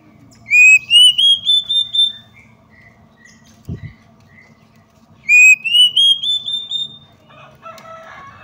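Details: Female Oriental magpie-robin call for provoking males into fighting mood: two bursts of rapidly repeated whistled notes climbing in pitch, with a few soft notes between, a knock, and brief harsh chatter at the end.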